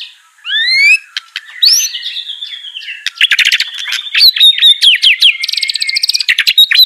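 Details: Caged white-rumped shama trained to sing, giving rising whistled slurs, a long descending whistle, then fast chattering trills and buzzy bursts.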